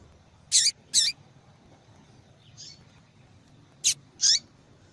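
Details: Female yellow-bellied seedeater calling repeatedly, a sound used to stimulate males to sing: short high chirps, two close together then two more after a pause, each sweeping across a high band, over faint low background hum.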